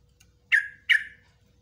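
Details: Two short, sharp call notes from a yellow-vented bulbul, each dropping quickly in pitch and spaced under half a second apart. It is a cage bird, and the recording serves as a master for training other cage birds.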